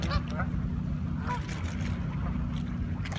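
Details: Canada geese in a flock, Toronto, Ontario, with several overlapping nasal honks spread through the moment, some clipped and downslurred, over continuous low-pitched mechanical hum.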